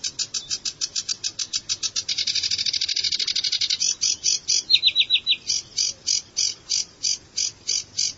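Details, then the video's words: Sedge warbler song: a fast, continuous run of dry, buzzy chattering notes repeated several times a second, with a denser churring burst and a brief sequence of clear rising whistles before the steady rattle resumes. "هازجة البردي المخططةsedge warbler"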